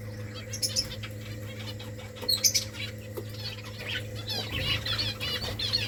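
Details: Several finches feeding on rice give short, high chirps and tweets, scattered and overlapping, with soft pecking and fluttering noises under a steady low hum.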